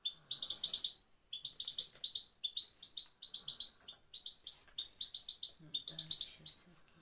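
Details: Goldfinch (European), Afghanistan, female 'pat pat' sound meant to motivate males: continuous jingling series of quick high chirps in several bursts, with a low hum near the end.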